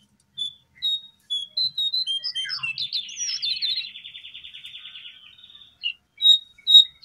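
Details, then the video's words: Brown prinia, locally jongkangan, in a lure recording for caged and wild birds: spaced high chirps lead into a long buzzy rattling trill that fades, followed by a few loud emphatic notes. "Suara danMasteran jongkangan /cingcoang coklat"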